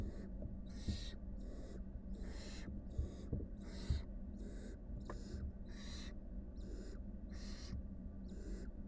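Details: Steady, rhythmic snoring hisses from wild barn owl nestlings, five young with their mother, about a dozen breathy bursts over nine seconds against a constant low hum.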